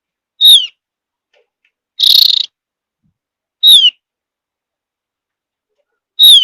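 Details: Javan grey-throated white-eye, a mountain-forest bird whose whistle is said to draw other birds into singing: sharp high whistles sliding downward, spaced irregularly, with one harsh buzzy burst between them; otherwise quiet.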